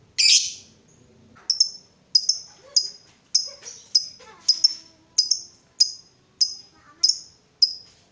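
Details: Lovebird of the fighter type, its sound used to coax other lovebirds into ngekek, opening with one harsh squawk, then a steady run of sharp, clipped high chirps roughly every 0.6 seconds, with faint low clicks behind.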